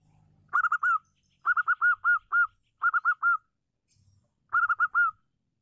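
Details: Female local zebra dove, a loud-voiced bird used to stir up other doves to call and sing, gives bursts of four to five short, clear cooing notes, each burst spaced about a second apart, in quiet surroundings.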